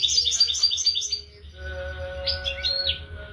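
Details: European goldfinch singing: a rapid burst of high, tinkling twitters, a short pause filled by a steady low tonal hum, then more liquid chirps.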